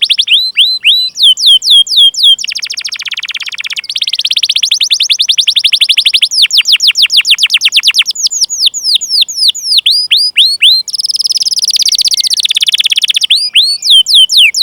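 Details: Long rolling canary song meant as a lure to prompt young or silent canaries to sing: alternating fast trills and series of sharp downward-sweeping whistled notes, several phrases repeated in quick succession.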